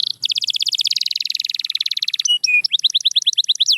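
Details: Canary in full song: a long fast rolling trill of rapidly repeated notes, two brief whistled tones, then a series of sharp rising chirps repeated several times a second.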